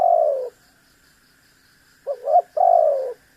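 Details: Tekukur, the spotted dove, in frequent calling to goad a rival: the tail of one long falling coo, a pause, then two quick hollow notes leading into a sustained coo that droops in pitch.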